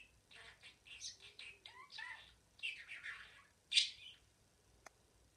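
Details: Pet budgie warbling a run of scratchy chirps and low gurgling slurs that swell into a loud squeak near the end, then a single click and quiet.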